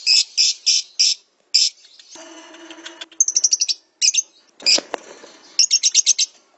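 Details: Lovebird song used to train a caged bird in morning or evening: buzzy high bursts, a lower nasal rattling passage, then quick runs of sharp chirps repeated several times.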